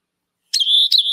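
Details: Rock Wren, a bird of dry, rocky, desolate country such as the Badlands, giving a high, buzzy phrase: a sharp burst settling into a steady trilled note, then a second burst that starts to repeat it.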